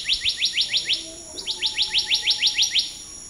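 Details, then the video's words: Black-naped monarch repeating sharply rising whistled notes about six per second, a short break, then another long even run of the same upslurred notes. "Black naped Monarch Song"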